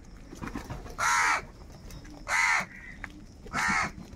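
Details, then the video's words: Angry crow calls over food: three loud, hoarse caws evenly spaced about every 1.2 seconds, each a short harsh burst, with faint chatter from other birds in between. "Different kauwa ki awaz - Angry kauwa ki awaaz | Crow bird unity anger and sound for food"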